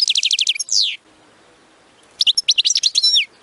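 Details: A goldfinch delivers 'btbta'-style song, used to stimulate singing: a fast run of high metallic chirps ending in a buzzy downslurred note, a short silence, then another burst of varied twittering chirps.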